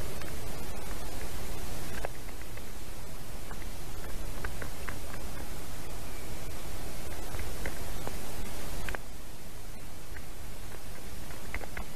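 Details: Steady broadband rushing noise with scattered faint clicks and rustles; no clear animal voice stands out.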